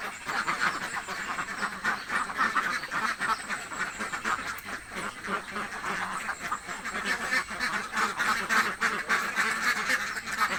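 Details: Many hungry ducks in a village keep up a steady chorus of rasping quacks for ten seconds, rapid and irregular, with individual calls blending into a continuous noisy chatter.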